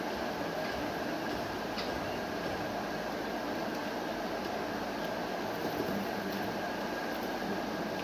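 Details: Steady broadband mechanical rumble, like a fan or engine, runs throughout with no animal voice.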